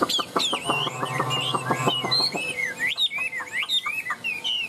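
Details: Caged Chinese hwamei singing: after a burst of fast clicking and rattling notes with a low hum beneath, the bird switches to clear, looping whistled phrases that slide up and down rapidly.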